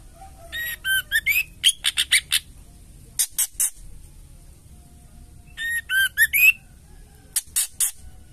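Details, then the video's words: Rapid bursts of harsh ticking notes, interspersed with short rising whistles, from a female white-rumped shama uttering ketrekan to incite males into singing; rattling clusters repeat after brief pauses. "suara ketrekan murai batu betina gacor bikin murai lain langsung bunyi gacor ngamuk"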